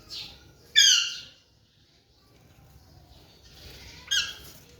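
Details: Young Alexandrine parakeet kept as a pet, recorded in 2023 during its talking progress: two harsh, buzzy squawks about three seconds apart with soft hissing notes before each, in a quiet room.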